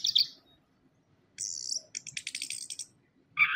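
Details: Orange-headed thrush (anis kembang) lure recording: quiet high buzzy notes and a rapid run of clicking, chattering pulses, ending with a short sharp whistle, over faint low background noise.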